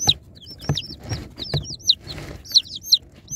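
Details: Cute baby chicks being unboxed, several peeping at once: high, thin, hooked peeps in quick uneven succession, with soft thumps and rustling from handling underneath.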